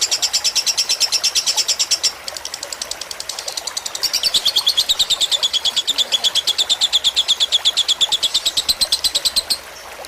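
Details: Long-duration lovebird fighter tutor song set against gurgling water for relaxing birds; extended bursts of quick shrill chirps, a brief dip after two seconds, then a louder sustained rattling chatter before fading.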